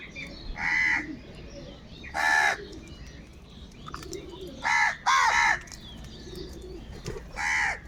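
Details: Crows squabbling over food give loud, harsh, nasal caws at irregular intervals, six in all, with a pair close together midway, while soft low cooing and faint chirps sound between them.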